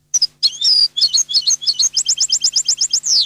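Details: European goldfinch singing the Neapolitan style: close, loud, liquid twittering of high chirps that runs into a fast, regular trill and closes on a descending buzzy glide.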